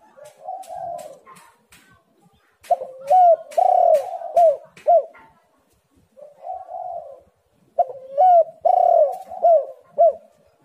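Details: Cooing spotted dove, played to spur silent doves into calling: soft low coos between two loud bursts of hoarse, bending notes, with faint clicking sounds early on.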